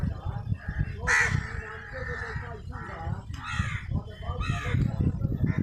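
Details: Crow eating, squaring off with a squirrel: one long harsh, drawn-out caw followed by several shorter grating calls, over a dull low background rumble.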